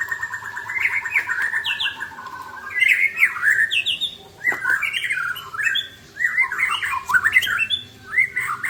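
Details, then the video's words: Song of white-rumped shamas exchanging elaborate mimicked phrases: loud varied whistles, rapid trills and swooping slurs in bursts separated by short pauses. "Murai saling bongkar isian mewah"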